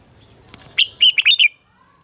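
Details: Captive-training morning song of a red-whiskered bulbul: a crisp run of five loud, rolling warbled notes lasting under a second, preceded by soft rustling.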